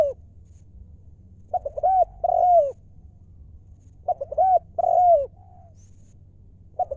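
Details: A wild spotted dove, a Thai ground decoy bird, delivers lio mor lam coos. Two full phrases of clipped notes end in a longer sliding coo, and a third begins at the end. A quiet low drone runs beneath.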